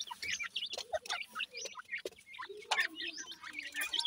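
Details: Several teetar chicks, a kind of francolin, at feeding time give thin, high cheeping notes in quick irregular bursts, with an occasional lower drawn-out soft note beneath.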